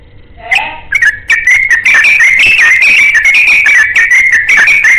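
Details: Yellow-vented bulbul singing a long rapid-fire ropel-style song while seeking a companion: after a few short opening notes, a dense, unbroken run of bubbly, chattering whistles wavers up and down for about four seconds.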